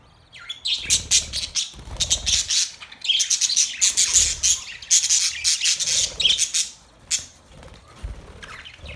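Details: Australian parrots in a dense chirping chorus: rapid high twitters and squawks that start after a short quiet moment and fade toward the end, low thuds beneath.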